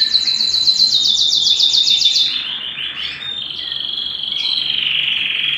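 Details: At home, a canary sings a fast run of repeated high descending notes, then slides into a lower rolling trill and a steady whistled tone, all loud and continuous.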